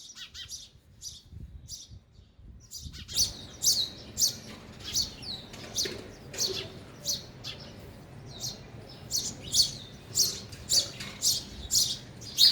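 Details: At a feeder, sparrows eating give a quiet start, then a lively stream of high, sharp chirps roughly twice a second, growing louder toward the end.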